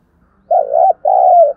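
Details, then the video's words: Spotted dove used as a lure bird for training captive doves: a clear two-part coo, each note a low, steady, slightly wavering hum, the second longer and falling at its end, in a quiet setting. "Tiếng chim cu gáy kích bổi nhanh nổi, Tiếng cu gáy mồi thúc luyện bổi"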